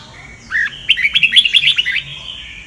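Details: A Sông Kon red-whiskered bulbul gives one compact song burst for voice training: a rising lead note followed by a fast string of bouncy, bubbling whistles over a soft background hum.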